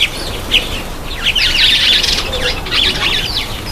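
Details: Black-eyed bulbul taking a bath, giving a busy run of chattering, scratchy chirps and slurred notes, dense in the middle, with light background noise.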